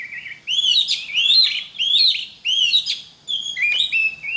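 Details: Oriental magpie-robin song used to teach other magpie-robins to sing: repeated phrases of clear rising whistles with slurred upswept notes, each burst about half a second long separated by short pauses, over a faint low hum.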